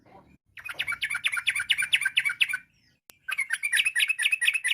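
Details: Rapid rolling song of a Yellow-vented bulbul in full voice, styles called ropel and nggaruda, used as a lure to set other bulbuls answering: dense bubbly trills, a brief silence, then another fast chattering run.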